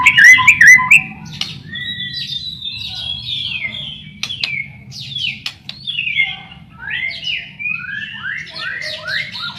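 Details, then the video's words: White-rumped shama song for luring shamas into song: a loud opening whistle burst, then softer varied whistled notes and chattering slurs. "Masteran burung murai pancingan suara burung murai burung murai gacor"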